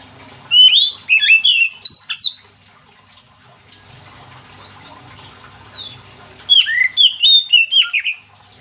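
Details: Oriental magpie-robin in full song, meant to prompt other magpie-robins to sing along: two bursts of loud, sweet whistled phrases with sliding notes, separated by a quiet pause about four seconds long.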